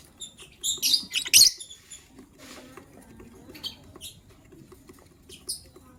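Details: Lovebirds in the morning give a dense burst of shrill, high chirps at the start, then a few spaced, thinner chirps over a faint low hum.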